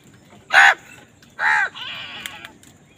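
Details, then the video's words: Crows squabbling with wild birds over food: two loud, harsh caws half a second apart, then a longer, thinner rasping call, over a quiet, low background rumble. "কাকের ডাক Wild birds fight with crows for food | Crow Sound Crows fight with birds for food"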